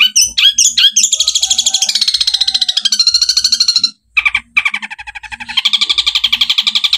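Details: Cendet, the long-tailed shrike, singing 'tembakan' training song with 'gereja' and 'kuntilanak' elements: a few clipped high notes open into long, fast, buzzy chattering trills, broken once by a brief pause, then harsh rapid notes resume.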